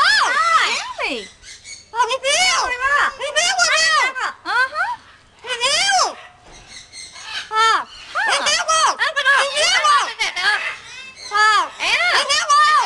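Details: Yellow-naped amazon parrots talking: several birds produce rising and falling word-like phrases and whistled, harmonic vocal slides, with rapid overlapping utterances and brief pauses, outdoors.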